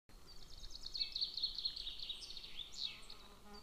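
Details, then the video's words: Golden eagle eaglet calling at the nest, filmed by a nest camera near a military training ground on 22 June 2024; a rapid, thin, high chirping series, slightly wavering, running unbroken for about three seconds over a soft background hiss. "Golden Eagle | Little eaglet sorrows the whole long bone"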